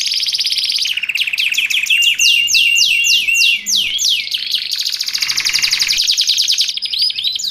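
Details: Canary singing nonstop for tutoring and luring canaries; a rapid trill leads into a run of loud descending swoops, then a blurred rolling tour and a final curled chirp.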